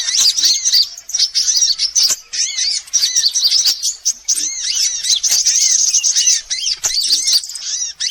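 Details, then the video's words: Mixed sunbird calls used as a bird lure. A near-continuous stream of shrill, squeaky chirps and fast trills, with brief thin rising whistles and occasional short gaps. "Suara pikat semua jenis burung kolibri"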